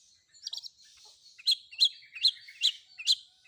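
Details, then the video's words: Long-tailed shrike fill-in song meant to make other shrikes answer: a quiet opening trill, then five loud, sharp, high chip notes spaced a little under half a second apart. "Cendet Manapun Bakalan Langsung Nyaut Dengar Suara Isian Kombinasi Cendet Cendet ini"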